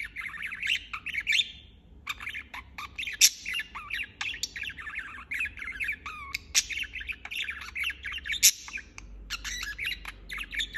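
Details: Steady budgerigar chirping: rambling, chattering warble of fast scratchy notes, occasional clear rising whistles and scattered harsh squeaks, almost without break.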